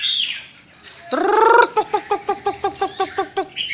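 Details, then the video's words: Wild-caught Chinese hwamei filmed close up, giving a harsh, buzzy harmonic note followed by a fast series of short repeated chopped notes and higher sweeping whistles. "Cận cảnh quay họa mi bổi"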